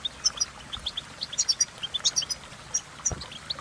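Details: Scattered high chirps and thin tinkling notes of European goldfinch song come in short clusters, softer and more spaced than a full run, with a brief low knock near the end.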